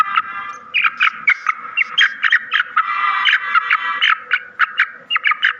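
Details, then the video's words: Black francolin call meant to excite the birds: a dense run of harsh, clipped, rasping notes in rapid uneven bursts, several per second, loud and close with a quiet background. "Black francolin ko jaldi mast karne wali awaz"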